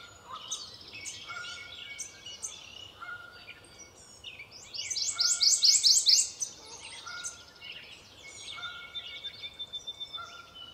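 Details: On a spring day, a Prothonotary Warbler that is also feeding sings a loud, ringing burst of about seven quick, identical high notes, while other birds chirp and whistle softly in the background.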